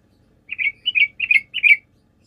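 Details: Four rounded, bubbly double notes from a sooty-headed bulbul, evenly spaced across about a second and a half, a song used as a lure so other birds call back.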